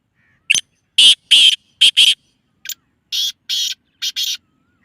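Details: Black francolin calling, used to prompt francolins to respond: two harsh, buzzy, grating phrases, each a quick run of about five rasping notes after a sharp opening click, separated by a short pause over a silent background.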